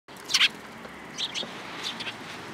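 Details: Sparrows coming to take food from a hand at a Tenmangu shrine on 7 July 2022; a loud cluster of sharp high chirps, then a few softer chirps against steady background hiss.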